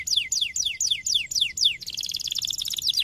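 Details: Canary song meant to stimulate other canaries to sing: seven bright, fast descending whistled sweeps, about four per second, then a dense, buzzy, high rolling trill with a final couple of sweeps.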